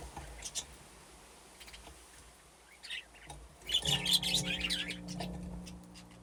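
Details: Budgies in an aviary with nesting boxes, playing and comfortable; sparse chirps at first, then a louder burst of bright chattering warbles, with a low steady hum and a wing flutter.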